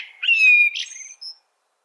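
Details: Brief blackbird phrase, a clear sustained whistle with a slight fall, then a scratchy high twitter and a thin final squeak.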